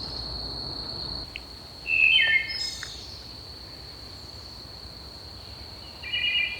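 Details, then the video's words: Wood thrush singing in dense woods early in the morning at Manassas National Battlefield Park, several notes sounding at once: a short fluty phrase with a trill, another phrase near the end, over a steady high insect drone. "That bird, you can really hear the different notes all being sung at the same time."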